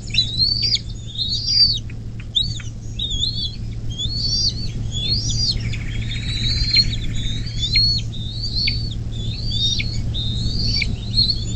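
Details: Bald eagle nest by the Little Miami River, near South Lebanon, Ohio, USA, 24 May 2024, morning. Busy high chittering whistles, stacked and overlapping, repeat for several seconds with a soft rushing patch midway and a low mechanical hum.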